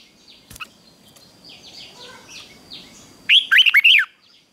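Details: Morning fighting-song training of a red-whiskered bulbul: after a stretch of soft descending chirps from other birds and a click, one bright, rollicking phrase of four to five warbled notes closes the recording.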